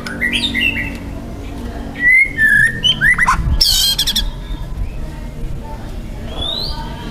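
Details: Young forest white-rumped shama singing loudly: scattered slurred whistles, then a cluster of sharp rising and falling notes ending in a brief harsh buzzy burst, with quieter whistles trailing after.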